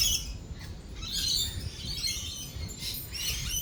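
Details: Thunderstorm with rolling thunder; lorikeets give short, harsh, high-pitched screeches in irregular bursts above a deep rumbling background.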